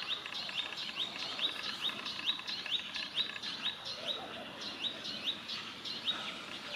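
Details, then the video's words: Male sunbird in Israel giving a warning call while eating, recorded handheld on a zoom camera: sharp, high chirps repeated rapidly, about two per second, in an uneven series with slight downward flicks, over soft background hiss. "Sunbird male warning call"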